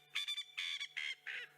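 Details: A secretive, small Coqui Francolin calls right next to the recordist, with another heard in the distance: a quick run of harsh, grating, nasal notes.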